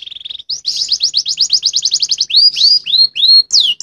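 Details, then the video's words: Caged canary in full song, with a soft buzzy trill, then a fast run of repeated high downslurred notes, ending in a series of separate rising and falling whistled notes. "kenari gacor lagu akhir nya unik"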